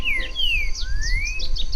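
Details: A Green-winged Saltator sings near Pedra Branca, Caldas, Minas Gerais, in conserved forest fragments: clear slurred whistles, two falling notes then a long rising one, with softer chirps from other birds and a low rumble.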